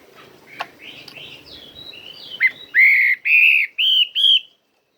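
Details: Chinese hwamei singing in a forest-style voice: soft varied whistled notes at first, then four loud, full, rich whistled notes repeated about every half second, ending in silence.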